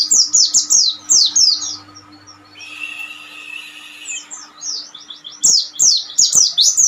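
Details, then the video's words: Oriental white-eye master song, meant for training untrained birds: bursts of rapid, high, sharply slurred chirps running in quick series, broken by a quieter stretch with a faint hissing buzz before the fast twittering resumes. "masteran cocok untuk burung pleci bahan/Ombyokan"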